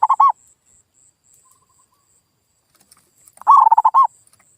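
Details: Perkutut, a local zebra dove, in a lure recording meant to make a silent bird reply: the tail of one cooing phrase, then a full stuttering phrase of rapid pulses ending in a longer round coo.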